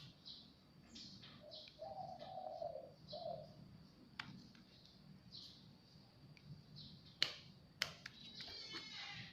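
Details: Zebra dove visiting a house on its own, uttering a short run of soft rolling coos in the middle seconds, while thin high chirps of other birds and sharp clicks sound around it.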